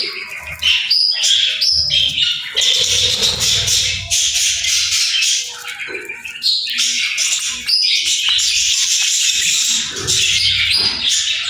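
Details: Playful small birds chirp in a dense, continuous chatter of high, scratchy warbles and squeaky notes, with brief pauses near the middle, in a small indoor space.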